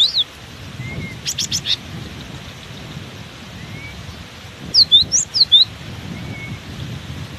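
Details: Cinereous tit keeps singing through strong wind: a short high whistle, then a quick run of clipped notes, and later a cluster of bright falling and rising whistles, all over steady low wind noise.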